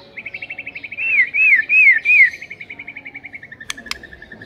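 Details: White-rumped shama, in a recording meant to provoke a lazy bird into singing, giving a long rapid run of short repeated notes broken by four loud looping whistles, ending in a steady ticking trill with two sharp clicks.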